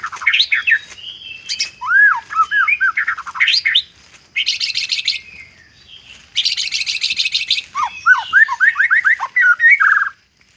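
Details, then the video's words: White-rumped shama singing an isian-filled song: loud whistled notes sliding up and down, rapid rising slurs, and two long bursts of dense buzzy rattling trills, with short pauses between phrases. "murai batu isian"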